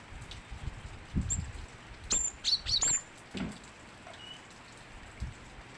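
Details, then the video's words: Energetic cinereous tit: a handful of crisp, high piercing whistles packed into about two seconds, then quiet, with soft low bumps and light pattering behind. "burung gelatik batu gacor"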